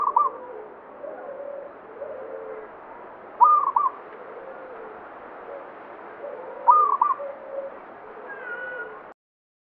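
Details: Local zebra dove in banyumili song style, believed to bring good fortune; two short high cooing phrases roughly three seconds apart, with softer lower warbling cooing from other birds throughout.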